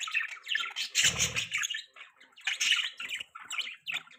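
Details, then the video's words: Several pet budgies chatter continuously in harsh, squeaky chirps and warbles that come in overlapping waves, with one brief louder rasping squawk about a second in. "Beautiful Budgies Parrots Chirping Sounds | Budgie Beautiful Voice"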